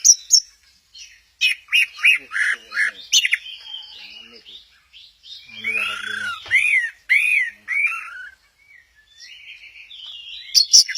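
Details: Orange-headed thrush singing at Kesamben, a mix of repeated scratchy chirps and looping whistled notes, with quieter stretches between phrases and soft background sounds.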